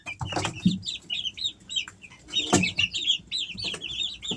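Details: Three-week-old Easter Egger chicks at home in summer, giving clear, high, slurred peeps in quick runs, some rising then falling, with a few loud knocks and rustles.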